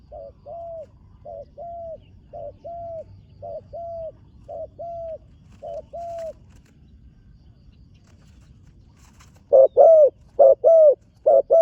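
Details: Young spotted dove in training, first time on the competition ground. A string of soft, evenly spaced two-part coos is followed after a pause by three louder, fuller paired coos.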